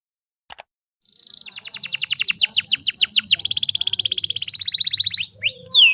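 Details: Breeding-condition female canary, used as a lure to make males sing: after a brief click, a rapid trill of high notes speeds up into a dense buzzing roll, ending in upward slurred whistles.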